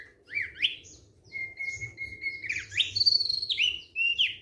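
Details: Relaxed thick-billed white-eye song of sweeping upslurred notes, a long steady whistle and quick rising and falling slurs, repeated in bursts, over a soft low hum.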